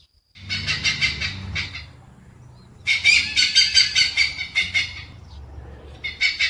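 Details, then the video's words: Oriental pied hornbill giving loud, harsh cackling calls in rapid pulsed bursts of about two a second. Each run lasts a second or two and is broken by short pauses, over a faint low rumble. "Oriental Pied-Hornbill"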